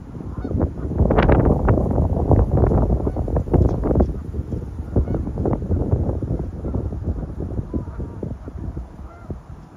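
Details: Geese flying low over a park in whipping high winds, scattering for cover and avoiding a hiker. Loud, nasal honks repeat rapidly and irregularly over heavy, rumbling wind noise.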